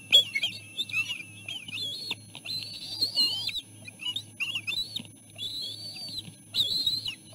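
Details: Nest of three bald eagle eaglets as the mother delivers food; insistent high whistles and chitters, bursting out every second or so with wavering pitch, plus scattered clicks and a constant low hum.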